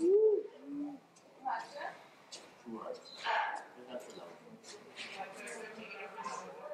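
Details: Crested quail-dove, endemic to Jamaica, gives one soft, low two-part coo, a slightly higher note then a lower, flatter one, followed by quiet human talk.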